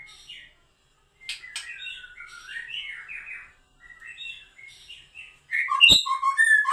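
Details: Young wild-caught white-rumped shama singing in the 'macul' style: a rich, varied run of whistled and warbled phrases with chattering notes, a short pause after the opening, then a louder, sharper burst of notes near the end with a single click.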